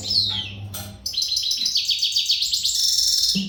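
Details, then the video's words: Energetic readiness song of an untutored goldfinch from the Maghreb: a descending slurred whistle, a pause, then a long rapid run of liquid twitters and trills, with a thin sustained note near the end. "تغريد الحسون"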